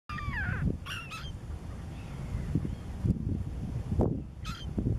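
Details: Common gull (Larus canus) in Cyprus giving three short bursts of high, nasal, slurred cries, the first falling in pitch, over a steady low rumble of wind.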